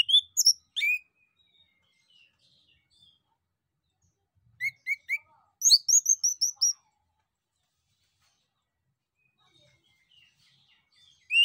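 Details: Lure song of a male orange-headed thrush, meant to get other birds to reply: short bursts of clear, high whistles and quick rising chirps, separated by long silent gaps.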